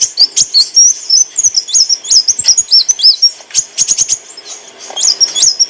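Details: Olive-backed sunbird (kolibri wulung) song for training cage birds, clear voice: irregular high chirps, hooked whistles and twittering bursts, with a quieter stretch near five seconds before a final flurry.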